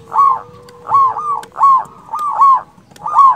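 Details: Loud local zebra dove calling out rivals with an emotional, big-voiced song. Full, mellow coo phrases rise and fall in quick succession, about one each second, over a faint steady low hum.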